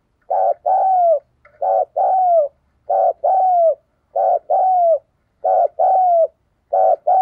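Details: Lure recording of a spotted dove's thúc gù and gáy gọi cooing: steady paired phrases, a brief hoot followed by a longer falling coo, repeated about every second, with a faint low rumble beneath.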